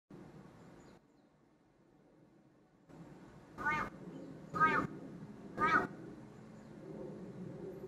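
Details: A crow looking down at a person and calling as if greeting them with "good morning": three harsh, hoarse caws about one second apart over steady low background rumble.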